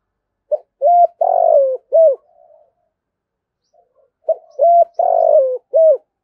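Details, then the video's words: Spotted dove calling with a fast, eager cooing style: two phrases of short mellow coos, each with a longer drawn-out middle note and a clipped ending, separated by a pause of about two seconds. "tiếng cu gáy giọng thổ thúc và gáy gọi"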